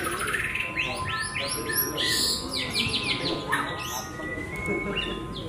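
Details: Javan white-rumped shama singing on the hanging pole at a bird contest: a fast, rich run of sweeping whistles and chattering notes, with a steady hum and crowd noise behind.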